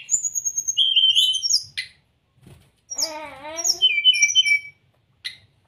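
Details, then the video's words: Brown-chested jungle flycatcher song for training caged birds to sing: bright high whistles trilling briefly, a pause, a buzzy wavering phrase, then falling whistled notes and a final sharp click. "pancingan srdc agar cepat buka paruh..dan masteran srdc mudah di tiru ,terapi srdc malas bunyi"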